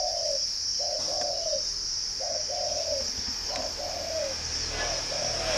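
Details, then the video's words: Spotted dove, captive in northern Vietnam near Ba Vì, Hanoi: five soft descending coo phrases, a brief note then a longer drawn one, about every 1.2 seconds, under a steady high insect whine and occasional clicks. "chim cu gáy"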